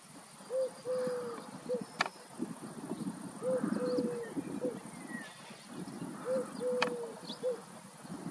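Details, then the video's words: Streptopelia dove at Walshofen between Schrobenhausen and Aichach, cooing three times, each phrase a short note, a drawn-out level coo and a brief closing note, spaced roughly three seconds apart over low outdoor rumble. "Streptopelia call"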